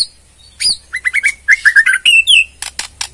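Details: Borneo white-rumped shama ketrekan, sung to provoke a response: a lively burst of clear whistled notes and quick slurs, rising to a sweet drawn-out whistle, then a few dry rattling ticks.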